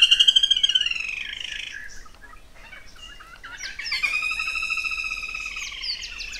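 Black-rumped flameback giving a fast, high, rattling series of harsh notes, loud at first, then a quieter second trill after a short pause.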